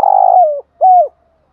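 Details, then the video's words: Spotted dove lure call for drawing rival birds: a long wavering coo sliding down at its end, then a shorter arched coo dropping away, low and mellow. "Tiếng chim cu gáy mồi gáy gọi, giọng hạp bổi kích thích bổi rất nhanh nổi"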